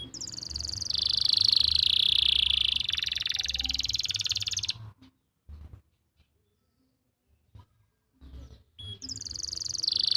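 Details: Master canary song recorded in Pati, Central Java, used to train stalled or young canaries to sing: a long, rapid, buzzy trill sliding slightly lower, then near silence with faint clicks before another high trill starts.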